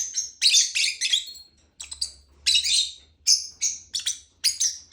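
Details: Lovebird delivering a quick series of piercing, buzzy chirps, clustered at the start and then spaced about every third of a second toward the end.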